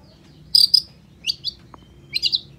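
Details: Long-tailed shrike uttering three short bursts of doubled, high scratchy chirps separated by brief pauses, with a faint click between them.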